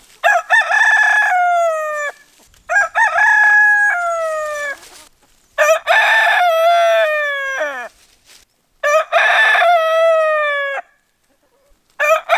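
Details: A rooster gives a series of four or five vigorous crows, each bright and harmonic, opening with choppy notes and trailing off downward.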